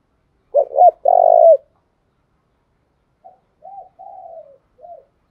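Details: Decoy spotted dove calling to lure wild doves; a loud low phrase of stuttered notes and a long coo, then after a pause a softer series of four coos.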